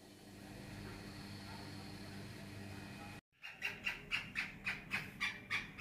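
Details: A black francolin in Karachi gives a fast run of harsh, grating notes, about four per second, after a low steady hum from engines or machinery.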